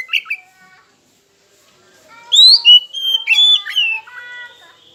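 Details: Oriental magpie-robin song played to provoke rivals into singing: a short note, a pause, then a loud, fast sequence of whistled slurs and trills.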